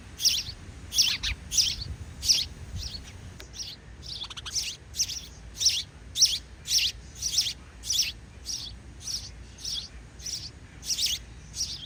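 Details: Parent sparrows feeding their chicks; the young keep up insistent high-pitched chirping, about seventeen bright notes in twelve seconds, slightly uneven in spacing, with a brief pause near the middle.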